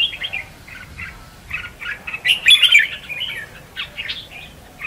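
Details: Red-whiskered bulbul decoy song for bird trapping, from a singing contest; softer spaced chirps building to a brief loud burst of sharp, ringing notes, then quieter warbles again.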